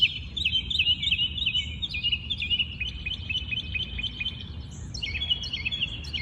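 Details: Birds singing in the morning in their natural habitat: a fast warbling trill runs into a long series of evenly spaced chips, then a high whistle and fresh looping phrases, over low background rumble.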